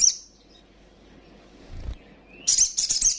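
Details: Female little spiderhunter call used to stir up rivals: a brief high trill tail, a quiet pause with a low thump, then a rising note into a fast shrill chattering run.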